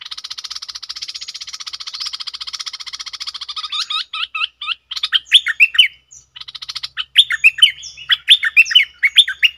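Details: A long dry, rapidly pulsed buzzing train gives way to bright, slurred whistled notes in quick runs, part of a cream-vented bulbul's double song recorded 18 June 2021.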